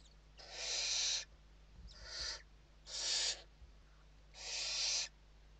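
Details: Western barn owls at their nest in Spain during an evening feeding, 29 November 2023: four drawn-out, noisy hisses roughly a second apart, the second one softer, with a light thump in between.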